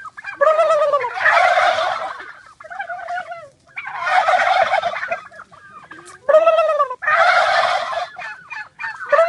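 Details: A pack of turkeys outdoors answers a man's gobbling with repeated loud chorused gobbles, three rattling bursts blending into harsh broadband noise, with shorter calls and clucks in the gaps.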